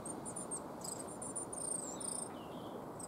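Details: Coal tit in a yew tree in a Cambridge, UK yard on 12 March 2015 gives a strange call: thin, very high squeaks and drawn-out falling whistles over low rushing; a sparrowhawk landing nearby panicked the birds.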